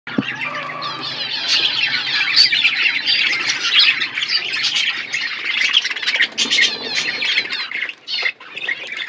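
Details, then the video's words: Budgerigars in a natural outdoor aviary while eating seeds: dense, continuous chatter of many birds, warbling and squawky notes overlapping without pause, with a brief low hum at the start. "My beautiful budgies eating seeds in my natural outdoor aviary"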